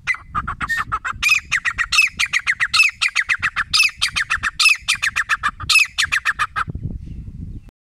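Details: Grey francolin (desi teetar) in a fast, harsh calling bout: rapid squawky notes rising and falling in repeated phrases, about four per second, then stopping abruptly and leaving low background rumble.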